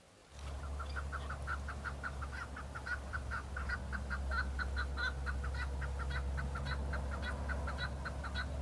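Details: Rival male Chukar partridges displaying to females in breeding season on Bamo mountain, Kurdistan: a steady, fast stream of chuck notes lasting throughout, over a strong low hum.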